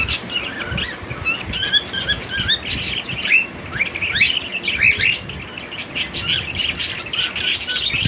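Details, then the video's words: Cockatiel calling with repeated harsh squawks and short chirps, rising and falling notes packed closely together, several overlapping calls with a noisy background throughout. "cockatail bird"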